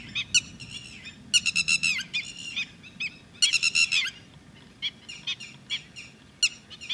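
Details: A red-wattled lapwing at Thol bird sanctuary gives loud, sharp, shrill notes in quick excited bursts, with pauses between the runs, over a light background hiss.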